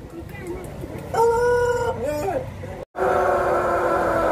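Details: Pelung chicken contest at a durian agritourism site in Karangrau, Banyumas: a strong, steady harmonic crow that bends downward at its close, then after a short break another sustained crow amid crowd noise.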